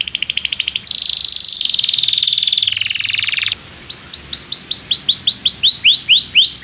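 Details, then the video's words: Canary in full voice as a model for young canaries learning song: a fast trill leading into a long, dense high buzzy roll, brief silence, then a series of clear arched chirps quickening toward the end. "Kenari gAcorr cuit cuit emosi, Pancingan untuk kenari Paud belajar bunyi"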